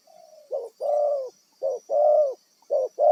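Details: Wild-caught spotted dove serving as a lure for trapping, delivering a soft lead-in then three short-long coo pairs at a steady pace, with a thin high background whine.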